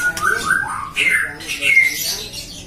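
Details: White-rumped shama bred in captivity in Depok, Indonesia, a prized contest songbird, giving a brief burst of bright whistled notes, a few short clear tones separated by rising slurs, over low room noise.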